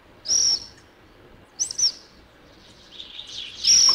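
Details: Black phoebe (Sayornis nigricans) recorded at Alto San Miguel: three thin, sharp, high-pitched call notes spaced over a few seconds, the last one loudest, with faint background hiss.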